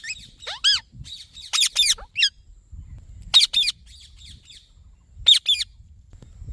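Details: Green Indian ringneck parakeet producing natural sounds: harsh, high squawks with wavering harmonics, given singly or in quick pairs at irregular intervals, with soft low thumps and rumble between calls.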